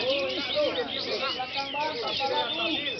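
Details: Sooty-headed bulbul singing in a lure recording for training songbirds; short bubbly, arched mid-pitched phrases repeat over a dense, constant layer of high chirping from other birds.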